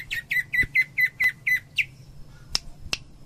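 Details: Greater green leafbird delivering tembakan-style song from Cililin: eight evenly spaced, piercing, buzzy notes in rapid succession, then a thin whistle and a few loud snapping clicks.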